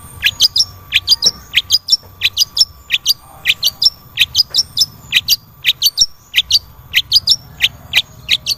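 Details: Long-tailed shrike song meant to prompt a reluctant caged bird to sing: brisk high chirped notes, each sliding up to a thin whistle, grouped in short bursts repeated steadily, with a low background hum.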